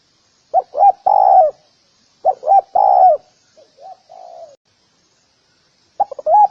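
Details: Spotted dove giving three-part coo phrases, two short notes and a sustained coo, followed by a quieter, softer phrase and the start of another series.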